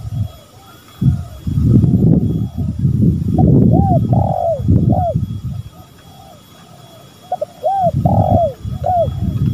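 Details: Spotted doves, male and female, calling actively: groups of arched, rising-then-falling coos, several in quick succession around the midpoint and again near the end, over heavy low rumbling noise.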